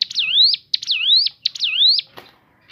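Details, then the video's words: Crescent-chested babbler song with natural variations: three loud whistled phrases, each a sharp high note followed by a swoop down and then a long rising slur, about two thirds of a second apart, ending with a brief click. "BUNYI FARIASI CIBLEK GUNUNG SUARA ASLI ALAM"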